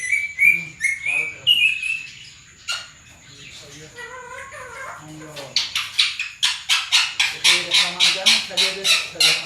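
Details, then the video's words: Talking parrot copying Sindhi and Urdu speech; rising whistled voice-like phrases at first, then a fast run of about a dozen sharp rhythmic squawky syllables, repeated several per second, in a quiet room. "funny talking parrot, sindhi bi bolta ha urdu bi"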